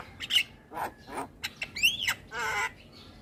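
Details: Javan myna song to lure and condition moulting mynas: harsh grating squawks, a loud arching whistled slur and a drawn-out buzzy rasp.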